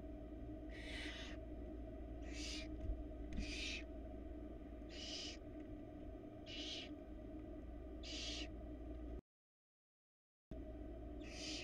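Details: Barn owl nest box on a Florida cam, 2022, the male bringing a rat to the female. Seven or so short, harsh breathy screeches spaced about a second or more apart, over steady hum.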